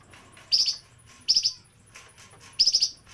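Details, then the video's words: Flamboyan bird singing: three short bursts of high, rapid chirping notes, each lasting about a quarter second and spaced roughly a second apart, with faint background hiss between phrases. "kicauan burung flamboyan"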